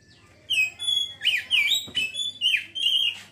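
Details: Oriental magpie-robin singing in ngeriwik fashion: about six bright, fast whistled phrases that swoop down and back up, delivered in tight succession with brief pauses between.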